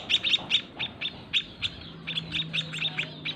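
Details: Quieter white-headed munia chicks in a small breeding cage beg from feeding parents with scattered short, high chirps, irregularly spaced and sometimes doubled. A faint steady low tone is also heard.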